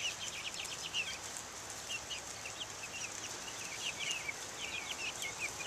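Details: Outdoor group of Buff Orpington, Black Australorp and Ameraucana chicks, 2010; faint high peeping in quick clusters of short chirps over a hissy background.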